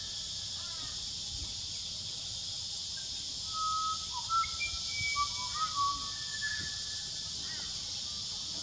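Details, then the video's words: Fluting song of a pied butcherbird in New South Wales, Australia: after a quiet start, a run of pure whistled notes, level and gliding, clusters mid-clip against a constant high-pitched hiss. "Song of the Pied Butcher Bird"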